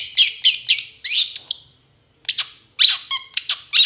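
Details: Long-tailed shrike vocalising, meant to spur lazy birds to respond: a burst of scratchy, buzzy notes, a short pause, then more rough phrases mixed with brief clear tones.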